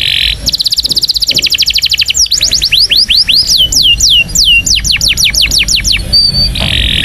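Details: Indonesian canary training song for young canaries: a very rapid rolling trill, then a string of loud whistles sweeping downward, finishing with short steady high notes and a buzzy burst.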